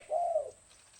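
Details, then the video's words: Spotted dove giving a single soft, low coo lasting about half a second, smooth and slightly arched in pitch, with quiet background afterwards. "BURUNG TEKUKUR"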